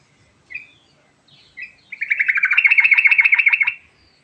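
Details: Sooty-headed bulbul in a 'ngerol' rolling song: brief separate chirps open the phrase, followed by a rapid, steady run of repeated high notes that stops abruptly; no other sounds.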